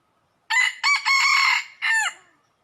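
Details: Red junglefowl crowing during trapping in Laos in early spring 2022: a loud, harmonic crow in four bursts, a short opening note, a brief second, a long sustained middle section, then a falling final note, over a quiet background.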